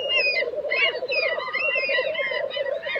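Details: Black grouse at a lek in Tiveden, Sweden, in April 2023: a steady, low, bubbling coo rolls on without pause from several males, with brighter whistled and hissing notes above, and other bird species sometimes joining in.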